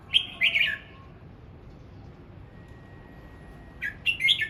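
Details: A red-whiskered bulbul practising its voice in the morning sings a fast, warbled two-part phrase, goes quiet for about three seconds, then repeats a similar bright chirpy burst.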